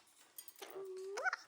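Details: Pet female monk (Quaker) parakeet, a nest-builder, makes a drawn-out, even-pitched vocal tone that ends in a quick upward squeak, amid her owner's praise and talk.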